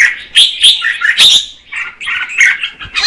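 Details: Female red-whiskered bulbul singing to stimulate the male: a run of bright, warbled notes and short chirps, with brief pauses between bursts of several phrases.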